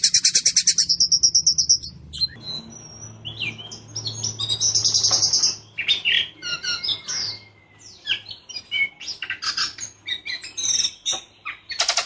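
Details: Caged white-rumped shama singing a harsh, clear rolling song: a fast trill opens, then a long varied run of whistles, buzzy notes and sharp chips at high pitch, ending on another quick roll; faint low hum beneath.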